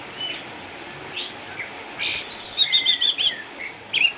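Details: Orange-headed thrush, a caged eight-year-old former champion in Sukabumi kept at home due to cataracts, delivering faint whistles that build into a fast chattering run of high repeated notes and rising squeaks.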